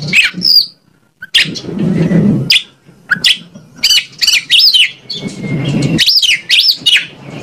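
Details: Oriental magpie-robin (kacer) singing, used as a lure to make other kacer answer: bright whistled and sharply rising-falling notes in short bursts, with gaps and low rumbling background noise between phrases.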